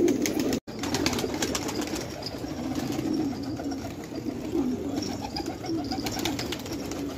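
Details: Village fighting tumbler pigeons in Khanabad, Afghanistan, murmuring low coos together; a brief cut near the start, then steady cooing with faint clicks and higher chirpy sounds.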